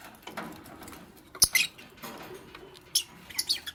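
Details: A green Fischer's lovebird with a pastel companion, busy making a nest, lets out sharp high chirps in quick pairs amid rustling and a sudden tapping click.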